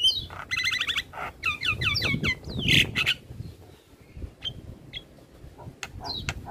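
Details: A Javan myna's morning song, meant for young birds to learn: fast rattling note series and chattering slurred phrases with a harsh squawk, then quieter scattered whistles and clicks against low rumble.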